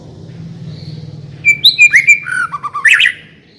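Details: White-rumped shama lure phrase to prompt singing: after a low hum, a short burst of clear whistles sliding downward, ending in a jumbled high twitter.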